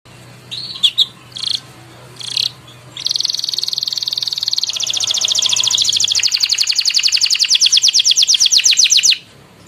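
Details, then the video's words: Canary in vigorous 'gacor' song, Indonesian 'ngeroll panjang' style with long rolls and tight bursts: a few short chirps, then a loud, fast, high buzzy trill held for about six seconds, dropping slightly in pitch near its end. "KENARI GACOR NGEROLL PANJANG TEMBAKAN RAPAT"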